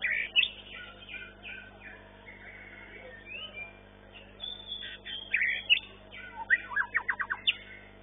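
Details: White-rumped shama, long-tailed class, sings at a bird-singing competition where it took first place. Dense high whistled phrases end in a fast series of clipped, ringing notes, with other contest birds audible.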